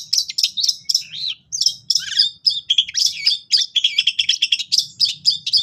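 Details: Long-tailed shrike in vigorous gacor song, cililin-style fill, recorded for training captive shrikes: rapid, varied sharp chips and slurred whistles in an almost continuous stream, with brief gaps and a faint low hum.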